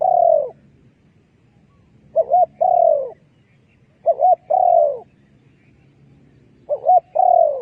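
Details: Decoy spotted dove calling to lure doves for trapping: a quick wavering double note followed by a drawn-out mellow coo, repeated four times at steady intervals of roughly two seconds.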